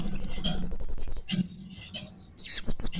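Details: Blue-crowned hanging parrot giving strange, fierce sounds: a rapid run of about fourteen shrill, very high notes, then a piercing whistle, a pause, and a burst of harsh high chirps. Faint low murmuring lies underneath.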